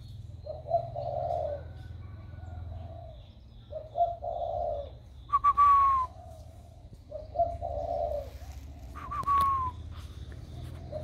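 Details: Spotted dove kept in a cage, about one year old and raised from a chick, starting to coo with a warm 'thổ' voice; repeated low mellow coo phrases with two sharp falling whistles and a low background hum.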